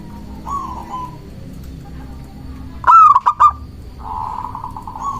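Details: Local zebra dove, song used for luring and stirring rivals: a faint drawn coo, then a loud fast burst of four clipped ringing notes, followed by a softer, sustained buzzy coo.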